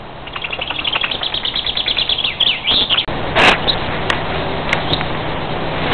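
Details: Common chaffinch singing in May 2012 in Sweden: an accelerating series of bright repeated notes descending into a flourish at the end, about three seconds long, followed by a loud broadband burst of noise and steady background hiss.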